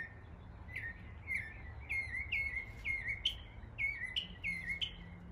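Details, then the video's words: Northern mockingbird mimicking local birds in East Tennessee, repeating a clear, slurred whistled chirp over and over at a lively pace, with a few sharp higher notes mixed in. "A mockingbird imitating the sounds of local birds in East Tennessee."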